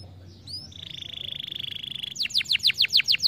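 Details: Canary giving a stimulating song: faint rising chirps, a long even high-pitched whistle, then a loud, regular string of swooping notes repeated several times per second.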